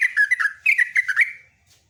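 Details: Rapid ropelan song of a trucukan (sooty-headed bulbul): a string of bright, bubbly warbled notes running for over a second, then fading to quiet.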